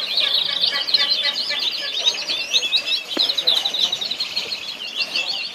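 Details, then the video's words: In Al Abdali, Kuwait, a group of orange canaries keeps up busy, overlapping song: quick repeated chirps and bubbling trills, with one sharp click partway through. "Orange Canary Birds طيور كناري"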